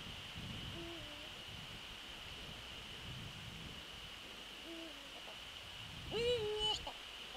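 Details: Eurasian eagle-owl calling several times while visiting its nest in the evening, 27 December 2013, around 18:25. Two short, low, level hoots come about four seconds apart, then a louder, harmonic, nasal call that rises and falls, over a steady faint hiss.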